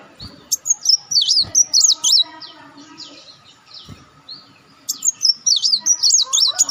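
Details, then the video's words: Olive-backed sunbird calls meant to lure other birds: two bursts of rapid, high, warbling notes rising and falling, separated by a pause of faint thin chips. "audio pancingan burung madu Wulung/Muncang"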